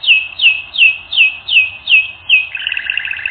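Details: Training-recording canary: a series of about seven clear, downward-sweeping whistled notes spaced roughly a third of a second apart, followed by a quick, even chattering trill.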